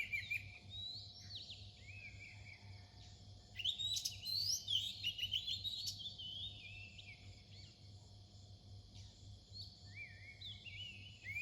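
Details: Near-dawn Oriental magpie-robin song: a quieter opening, then a rich run of rising and falling whistles in the middle and sparse, softer phrases toward the end, with a constant low hum behind.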